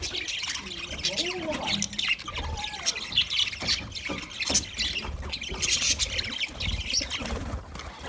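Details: Budgerigars chirp while eating: continuous high, scratchy flock chatter with a few lower warbled tones early on and steady low background noise.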